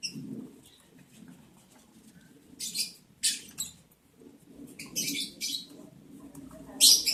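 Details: Lovebirds on day 11 of breeding, while mating, July 11, 2022: scattered harsh high chirps and short screechy bursts in groups, with a steady low hum throughout.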